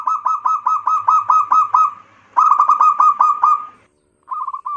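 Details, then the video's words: Local zebra dove song used as a lure to stimulate other birds: rapid series of short, low cooing notes, about two per second, in two long runs, then a brief final burst after a pause. "pancingan perkutut lokal"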